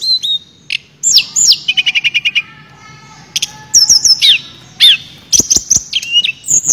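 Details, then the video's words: Sulingan, also called tledekan, a songbird known for imitating other birds' notes, singing in a flute-like 'nyuling' style full of 'isian' fill-ins: high whistled slurs and short downswept notes, then a fast run of even clipped chips, with sharp clicks between phrases. "Burung Tledekan Gacor Suara Nyuling Muntahin Isian FULL"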